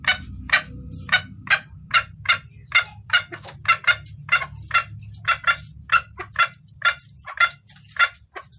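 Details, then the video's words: Female red junglefowl calling to the male, clear call for luring males: a fast, continuous string of short, bright clucks, about two per second, with faint low noise beneath. "Suara ayam hutan betina gacor pangil pejantan"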